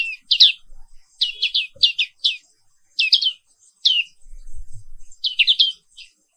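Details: Morning song of a black-capped white-eye: bursts of quick high downslurred chirps in groups of two to four, separated by short gaps, with a faint soft knock in the background.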